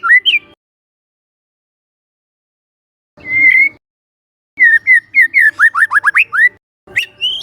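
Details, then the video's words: Young forest White-rumped shama lure song with short whistled bursts separated by silences, then a quick rattling run of upslurred whistles and a final rising note. "PANCINGAN SANTAI MURAI MUDA HUTAN🔴🔴 shama bird🔴 bird vocalization🔴"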